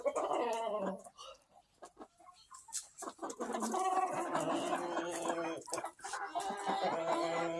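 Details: Chickens in a mixed-breed barn flock on July 26, 2023, making rapid, overlapping clucks and drawn-out, tonal complaining calls, rising in density after a quieter pause.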